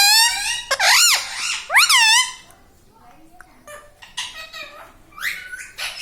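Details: Talking pet parrot, said to repeat "Mummy" and "Papa", gives two loud, arching, harmonic voice-like phrases, then quieter mutterings and a final rising squeak inside a small room.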